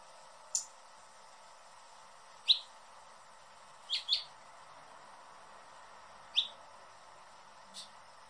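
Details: Scattered hummingbird chips, thin and high, some doubled, spaced irregularly a second or more apart over a quiet, hissy background.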